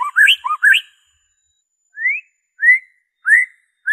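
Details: White-rumped shama singing its original song without mimicked fill-ins, used as a lure to prompt kept birds to sing: a cluster of quick looping whistles, then three clear rising slurred whistles spaced about half a second apart.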